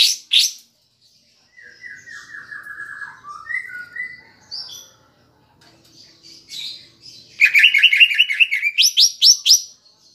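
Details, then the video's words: Lure song of the greater green leafbird with kapas tembak filler, for rousing pet leafbirds: two sharp opening notes, soft descending whistled runs and chatter, then a loud fast rattling trill and rising sweeps. "Pancingan Cucak Ijo (Isian Kapas Tembak) Agar Emosi Jamtrok"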